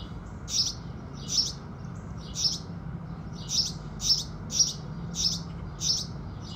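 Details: House sparrows greeting the rising sun: after a brief gap, a series of about nine loud, high chirps, single and doubled, repeating every half second or so against a faint low hum.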